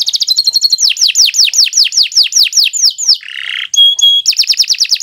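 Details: Canary in long, energetic song, used as a tutor for young birds: quick trill leading into repeated falling whistled sweeps, a brief harsh buzz, two short pure whistles, then fast descending sweeps again.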